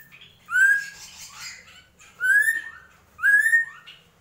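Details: Drongo (srigunting krantil) singing in the gentolang style: three bright, upward-slurred whistled notes, each with a high buzzy overtone, separated by quieter rasping sounds.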